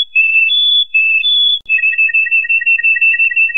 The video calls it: CANARY SONG